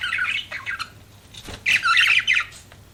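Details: Budgerigars chattering in scratchy chirps, a quieter pause, then a louder burst of rapid warbled chirping.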